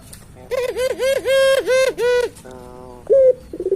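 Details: Barbary dove of the puter pelung type, calling constantly: a rolling series of about six rich, wavering coo pulses, then a flatter sustained tone and a brief upward note, faintly in a small room.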